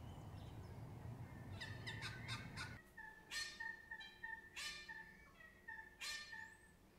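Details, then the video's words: Unidentified birds singing at dawn in Melbourne, Australia: repeated mid-pitched steady tones with harsh noisy bursts, following a low rumbling background at the start. "Melbourne, Australia Bird Song"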